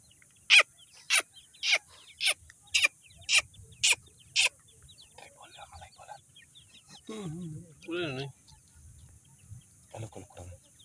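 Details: Being fed, young grey francolins from Sindh call in a run of eight sharp high notes about two per second, then soft chatter and a lower wavering sound follow.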